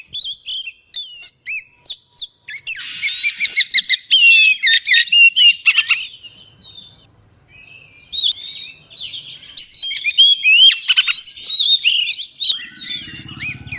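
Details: Oriental magpie-robin female singing to stir up males: a long varied run of sharp chirps and twisting whistles, with a short noisy burst, a pause, then more rapid phrases and a low hum at the end.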